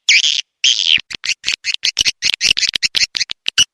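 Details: Two drawn-out buzzy swiftlet notes open the sequence, followed by a fast stuttering series of short high clicks and chirps, in the rainy-season call style.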